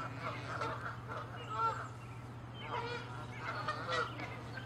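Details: Canada geese in an angry territorial fight, harsh nasal honks in irregular bursts, some with buzzy rising edges, several birds overlapping, a constant low hum in the background.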